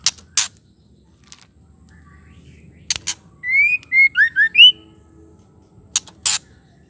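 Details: Female white-rumped shama, whose call makes male shamas angry and vocal; harsh double clicks, then one rising whistle followed by four brief looping whistled notes, more clicks after.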